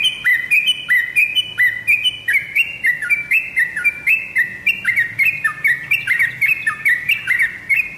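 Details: Yellow-vented bulbul lure song played to get kept birds calling back: continuous loud bubbly whistled phrases, each with a dropping then rising note, several birds seemingly overlapping in the second half.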